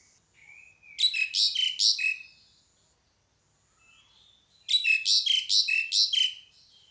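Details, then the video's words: Pied myna: two bouts of five or six loud, grating squeaks, each falling into a brief whistle. A soft rising whistle leads into each bout, with silence in between. "SUARA PANGGILAN JALAK SUREN"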